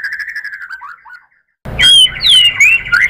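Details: White-rumped shama provoking song: a soft trill fading out, a brief silence, then loud, clear upslurred and downslurred whistles.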